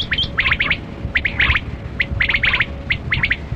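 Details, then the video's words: Kali kirak batera quail in a hunting setting giving rapid bursts of short, sharp chirps, several notes crowded together in each burst, with brief gaps of about half a second between groups over low rumble. "Sound Of Kali Kirak Quail Batera"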